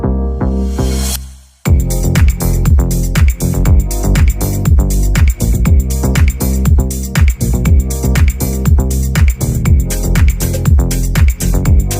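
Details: Electronic dance music with a steady thumping beat and synth chords, and no animal sounds.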